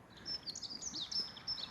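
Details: A dunnock singing from an ash tree in a park: a thin, high, quick jingling warble of squeaky notes on a fairly flat pitch, repeating the same phrase, over faint outdoor background noise.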